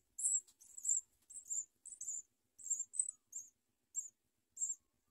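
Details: Baby house sparrows in the nest clamour as the mother feeds them and they nip at her. Piercing high chirps arrive quickly, about ten short squeaks in five seconds, a few run together.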